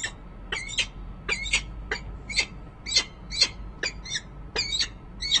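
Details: Female peregrine falcon calling from her nest ledge in Harrisburg, Pennsylvania, on a January 2013 nest cam, perhaps to an unseen male: loud, rapid series of about eleven harsh, chipping notes, some doubled, evenly spread through the clip.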